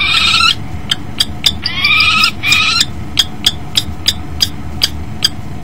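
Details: Kestrel pair mating at a nest box on a February morning, male arriving first and the female following; rasping, quavering harmonic calls in two bursts, then a run of short sharp ticks about every third of a second, low background hum.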